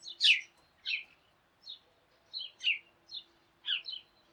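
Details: Sparrows chirping as a flock in the morning; bright, short chirps spaced about half a second apart, a faint steady low hum beneath.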